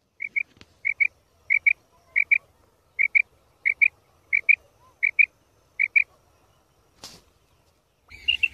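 A female quail gives soft, high double notes, paired and repeated about every two-thirds of a second, followed by a sharp click and a brief rustle.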